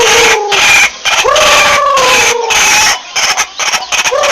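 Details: Lure call of the white-breasted waterhen: dense, raspy pulsed chatter broken by short gaps, with drawn-out nasal notes that start higher and slide gently downward, one lasting over a second.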